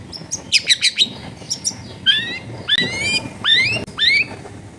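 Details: Long-tailed shrike giving sharp song 'shots' used to coax silent shrikes into singing, recorded at a home in a busy neighbourhood: quick piercing notes followed by long, loud rising whistled slurs.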